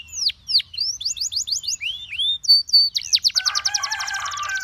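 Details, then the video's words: Canary singing to call and tempt other canaries into song: rapid high trills and fast repeated chirps, shifting into sweeping down-slurred whistles and dense rolling trills near the end. "Your Canary Calls And Tempts All The Canaries to Sing"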